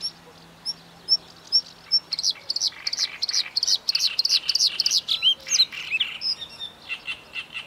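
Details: Singing bluethroat, opening with spaced thin high notes, then breaking into a dense run of rapid buzzy, ringing chirps and short trills that continues for several seconds; faint low hum under the first part.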